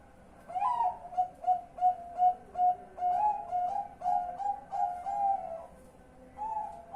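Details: Zebra dove calling at night, recorded 10 March 2021: a run of short, hollow, cooing notes in quick, slightly uneven succession, rising in loudness then trailing off, with a brief pause before a final burst.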